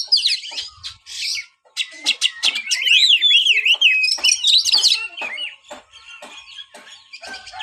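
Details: White-rumped shama delivers a fast jumble of sharp chips, slurred whistles and wavy trilled phrases, loud in the middle and fading toward the end.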